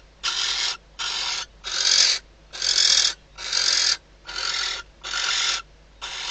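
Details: Inside a barn owl nest box in the Ebro Delta, Spain, at night, the female calls as the male arrives, shortly before mating and days before hatching. Eight coarse, wheezing hiss bursts follow one another about every 0.8 seconds.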